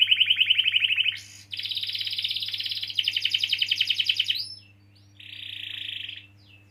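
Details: Canary singing long rolling phrases, used to coax silent or stalled canaries into song: rapid even trills, a brief upward sweep, a long buzzy roll, another trill, then a softer rattling section after a pause. Low steady hum beneath.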